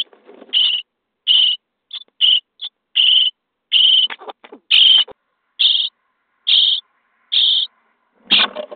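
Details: Common starling nestlings in a nest box on day 23, fed by adults: scratchy begging rasps of varying length. Softer scuffling sounds come at the start and end.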